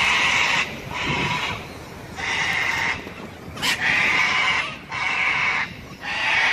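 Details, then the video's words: Harsh grating shrieks from sulphur-crested cockatoos at Robertson Park, St Lucia, following one another almost without a break, with a brief sharp click midway through. "Sulphur-crested cockatoos at Robertson Park, St Lucia"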